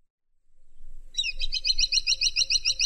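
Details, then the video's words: A woodpecker (caladi tikotok) gives a varied, fast, even series of sharp, high chattering notes, about seven a second, over a low background rumble. "Suara Burung Caladi Tikotok Variasi"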